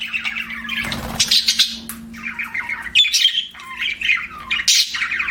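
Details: Budgies chirp in separate bursts: scratchy warbled phrases, a sharp squawk, a brief clear whistle near the middle, with short quiet gaps and a soft rustle early on plus low hum.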